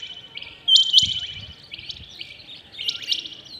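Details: Rain quail heard early in the morning, giving two bursts of sharp paired metallic notes about two seconds apart over faint low background noise.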